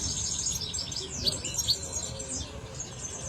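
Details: European goldfinch singing in Germany: a fast, high twittering of short chirps and trills, some notes sliding up and down, with a low background rumble throughout.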